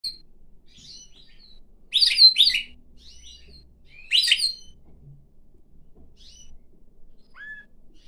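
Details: Pet pine grosbeak singing while perched on its owner's hand indoors: short warbled, whistled phrases in bursts near two and four seconds, with quieter twittering notes between and a soft rising whistle near the end.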